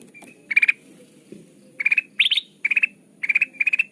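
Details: Sooty-headed bulbul lure call used for bird trapping: short bursts of three to five rapid, sharp chirped notes, six bursts spaced irregularly about half a second apart, over a faint low background hum.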